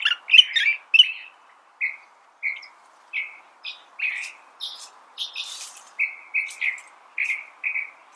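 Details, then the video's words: California thrasher song beginning with several loud, complex notes, then evenly spaced short chirps roughly every half second, with a scratchy, high flourish in the middle. "California Thrasher Bird Sound"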